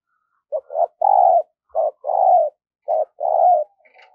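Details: Spotted dove used as a lure for wild doves, trained daily: three rapid low coo phrases, each a brief note followed by a longer drawn-out coo, repeated roughly every second, with a faint higher sound at the end.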